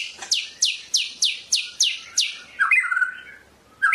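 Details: Medan white-rumped shama delivering a fast series of seven bright, descending sweeps at steady spacing, then a lower warbled phrase and a final short whistle.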